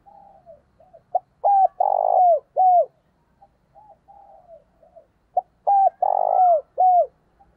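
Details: Dove used as a decoy, calling to stir up rival males. Two series of coos, each with soft lead-in notes, then a loud cluster of deep, hollow coos ending in falling, drawn-out notes. The background is quiet.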